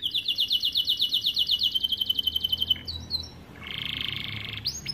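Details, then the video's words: Song of a starblue American Fancy canary meant for tutoring young canaries: a steady rapid trill of about twenty-five pulses, a short pause, then a dense buzzy rattle and a last sharp note. "Kenari AF warna starblue gacor lagu unik mewah untuk masteran kenari paud"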